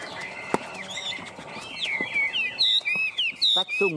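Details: Chinese hwamei on a hand, still singing in 'ôm cóng' manner; a man's voice and rustling at first, then clear high whistled phrases repeated in short bursts.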